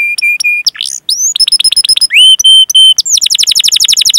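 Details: Singing canary, recorded to lure canaries into song: steady flat whistled notes, swooping slurs, a burst of chirps, more level whistles, then a quick rolling trill.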